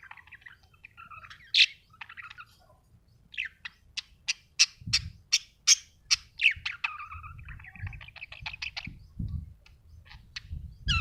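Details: Happy budgerigar chirping: a scratchy warble at first, then a run of sharp, bright chirps at about twice a second, sliding into mixed chatter and whistled notes, with soft low rumbling beneath.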